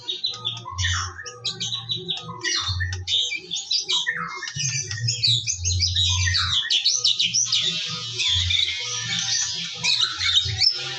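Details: Morning white-rumped shama song played as a lure to spur shamas into full song: rapid, varied chattering phrases building into a long, rich, high warbling passage, with a low droning hum underneath.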